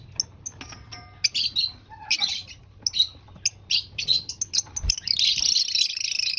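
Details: Pet lovebird eating its breakfast: short high chirps at first, then rapid scratchy chattering that becomes a continuous raspy twitter toward the end.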